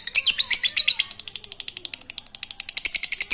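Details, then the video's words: Lovebird in ngekek style, intended to encourage lazy lovebirds to sing: shrill, scratchy chattering notes fired in quick succession, loud at first, briefly softer, then loud again. "Lovebird ngekek Receh Mantap Untuk Pancingan Lovebird malas bunyi"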